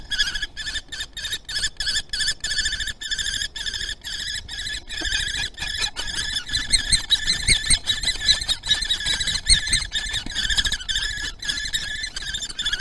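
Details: Common kestrel calling during mating at Théding, 30 April 2020: a rapid, steady series of sharp, harmonic-rich notes, about two and a half per second, continuing through the whole stretch with faint background rustling.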